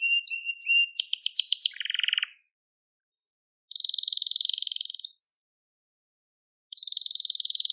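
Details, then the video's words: Crested Gloster canary singing, recorded for training young canaries: rapid repeated high notes, buzzy trills and a rising whistle in bursts separated by silent pauses. "Muhteşem Tepeli Gloster Kanarya Ötüşü | Gloster Kanarya Sesi"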